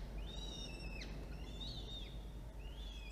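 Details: Nest camera at a falcon nest, where an adult feeds two chicks, one and a half weeks old, shortly before 2 p.m. in October 2022. Three drawn-out, high whistles each end in a steep downward slide, over low hum.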